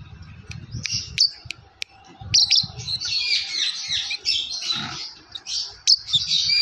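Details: Yellow lovebird producing continuous shrill chirping: sharp clicks and peeps early on give way to a dense, scratchy stream of high chattering notes with occasional piercing squeaks.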